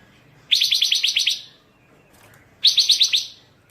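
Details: Pancawarna bird singing continuously and noisily, recorded as training material for songbirds: a rapid burst of about eight sharp high chips, a pause, then a shorter run of five similar chips.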